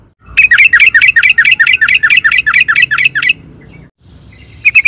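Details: Sooty-headed bulbul in full, vigorous song, played as a lure to make other birds answer. A fast run of about fifteen bright, chirping notes with a downward twist lasts three seconds, then a pause and a short new burst.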